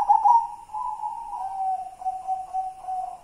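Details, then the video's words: Soft, wavering coo from a white zebra dove (perkutut putih) singing manyura style: an initial trill sliding into a long, gently pulsing note that dips slightly lower and beats in a few regular pulses. "Perkutut putih kidang Simbar manyura"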